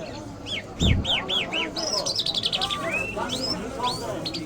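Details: Iranian lark, called jal, of the Mashhadi type. A row of five arched, downslurred whistles comes first, then a quick buzzy trill, then scattered rising and falling notes, with a dull knock near the start.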